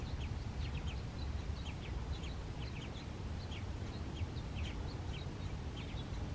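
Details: Purple martins at Marymoor Park, Redmond, Washington, US, July 25, 2021, chatter in overlapping, gurgling chirps and quick down-slurred notes from several birds at once, over a steady low rumble of wind.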